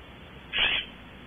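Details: A western scrub-jay visits a branch at Audubon Starr Ranch, California, caught on a wildlife camera. It gives a single short, harsh squawk lasting about a third of a second over a steady background hiss.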